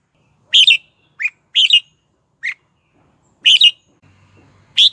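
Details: Red-whiskered bulbul singing as a lure for wild birds to fight, with short paired warbled notes and single sharp chirps scattered irregularly across a few seconds, and a faint low hum near the end.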